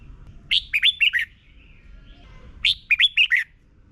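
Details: Red-whiskered bulbul, Thailand, a tutor song for young birds: two matching phrases about two seconds apart, each a lively, liquid run of four to five quick rising-and-falling notes.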